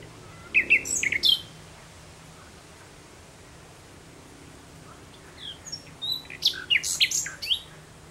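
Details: Common nightingale singing at sunset in June 2017: two bursts of high, sharp chirped and whistled phrases separated by a long quiet pause.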